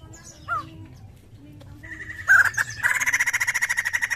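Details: White-crested laughingthrush in full, active song, used as a lure sound: faint calls at first, then loud, rapid pulsed chatter near one pitch begins after two seconds and runs as a fast rattling train to the end.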